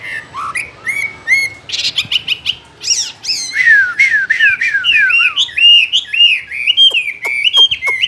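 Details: A caged Chinese hwamei sings a long, varied whistled song of short rising notes, rapid stuttering bursts and sliding, wavering phrases, loud and continuous.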